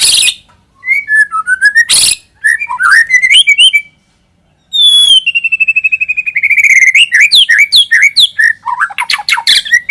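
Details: White-rumped shama lure song: varied clear whistled phrases sliding up and down, then a fast run of repeated notes, about four each second, building into dense, rich chattering trills, with a few brief harsh bursts.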